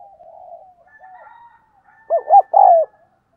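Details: Spotted dove decoy bird cooing to encourage other doves to call: a soft low drawn-out coo, a brief pause, then two short hooting notes and a longer, louder descending coo.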